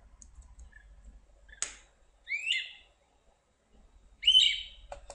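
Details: A great crested flycatcher gives soft pulse clicks followed by two loud, insistent, rising whistled weep calls about two seconds apart over a faint low rumble; great crested flycatcher.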